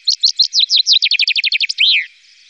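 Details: Complete common chaffinch song, recorded in 2018 in the Wittlich valley: spaced, bright notes, then a faster run of repeated notes, ending in a loud swooping flourish that drops in pitch. Quiet background after it.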